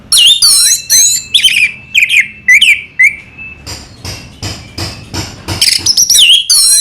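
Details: Orange-headed thrush, the anis merah, in rich varied song: loud looping whistles and warbled trills strung together, a brief run of softer clicking notes, then more high sweeping phrases.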